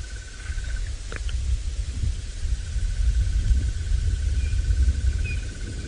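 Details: A crested barbet calls in the distance at Djuma, Sabi Sand, South Africa, on a quiet sunrise drive around 7 AM, 21 Oct 2017: a long, even, fast-pulsed trill over a heavy low engine-like rumble, a brief knock and faint chirps.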